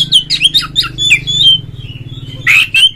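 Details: Oriental magpie-robin (kacer) in ngeplong style, meant to make other magpie-robins sing: quick tumbling chips and slurred whistles, a long thin whistle fading out, then two loud buzzy notes, with a low hum underneath.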